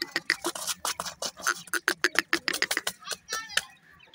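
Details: Partridge chicks feeding at night give soft, high peeps, several a second, among a busy patter of sharp pecking clicks.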